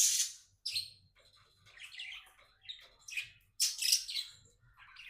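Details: Contented pet budgerigar giving loud, scratchy chirps and warbles in several short bursts separated by brief pauses, mixing sharp squeaky notes with buzzy chatter, recorded inside.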